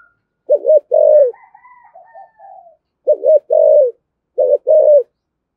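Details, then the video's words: Spotted dove cooing in the 'thổ thúc gù' style, used to provoke wild doves: three low two-part phrases, a quick wavering double note then a held coo, about every two seconds, with faint higher whistled tones between. "cu gáy giọng thổ thúc gù dùng kích bổi, bổi nghe rất nhại gáy"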